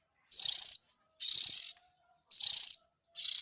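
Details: Chick of the Oriental magpie-robin calling, a sound used to attract the parent birds: four loud, raspy, hissing bursts about half a second each, separated by short silences.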